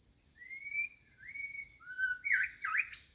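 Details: Calling for a mate, a white-rumped shama gives two long rising whistles and a lower held note, then bursts of rapid looping, dipping notes, all over a steady high-pitched insect chorus.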